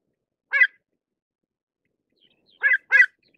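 Pied avocet giving three short, clear, fluty 'kluit' notes, one alone and then a quick pair. Nothing else is heard.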